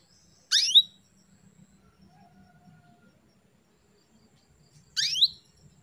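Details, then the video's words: Female canary calling to stimulate a male's breeding urge: two brief sharp descending chirps about four seconds apart over quiet low background hum. "CUITAN KENARI BETINA MEMANCING BIRAHI JANTAN JADI CEPAT GACOR"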